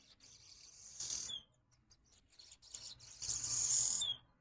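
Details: Swallows perched at a window giving two bursts of shrill, buzzy twittering. Each ends in a short descending note, and a few faint ticks come between them.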